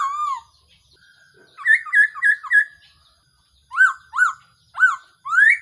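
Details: Black-throated laughingthrush decoy call for trapping: a falling whistle, then four evenly spaced short choppy notes, then a series of loud rising-and-falling whistles.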